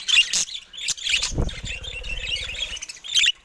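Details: Budgerigars in a cage by a camera. Sharp high chirps open and close the clip, separated by a softer warble over a low droning hum.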